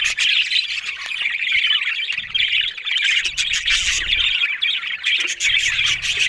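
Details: Budgerigar chorus of constant scratchy warbling and shrill chirps, dense and unbroken, with some low thuds mixed in partway through.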